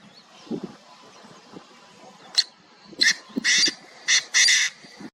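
Painted francolin giving a harsh, grating call of five rasping bursts, the last ones longer, over a faint low murmur in the background.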